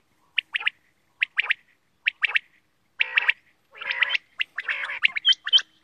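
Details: Quail, called bater locally, calling in short clipped bursts of two or three rapid notes, each burst roughly a second apart, then a denser run of overlapping, gargling chatter in the second half.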